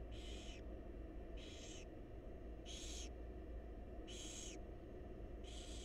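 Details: Begging wild barn owl chicks in a research nest box while their mother feeds them: five evenly repeated harsh hissing screeches, one roughly every 1.3 seconds, over a constant low hum.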